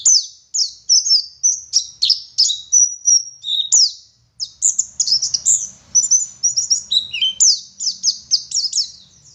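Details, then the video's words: Oriental white-eye of the Garut dakun type from West Java in full gacor song: varied high chirps, slurred whistles and quick twittering runs that flow almost without a break, with one brief pause. "Burung Pleci Gacor Ngalas Wit Wit Sambung Ngeriwik Full Isian"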